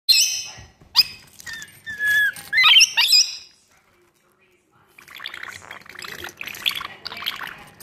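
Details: Pet lorikeet attacking its own reflection: harsh, screechy squawks and chattering bursts in the first three seconds, a pause, then softer scratchy chatter.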